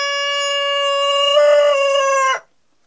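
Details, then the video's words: Crow of a Denizli rooster: a long, loud, steady, strongly harmonic note held for over two seconds, swelling slightly midway, then cut off abruptly, followed by quiet. "horoz tavuk sesleri denizli horozu ötüşü sesleri"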